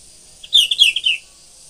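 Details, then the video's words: Sooty-headed bulbul in morning song, giving a quick run of five or six bright chirping whistled notes that step gently downward over about seven tenths of a second, over a faint high-pitched hiss. "kutilang gacor.cantel pagi suara edan"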